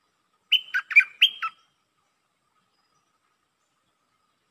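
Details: Lak ber style song from a red-whiskered bulbul: a fast phrase of four to five clipped whistles with falling tails, followed by silence and the start of another note.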